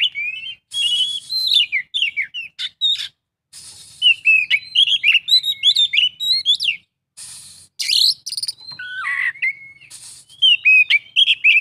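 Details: Oriental magpie-robin giving long full isian song: rapid varied whistles, quick slurred notes, harsh buzzy bursts and chatter in rolling runs with occasional short pauses.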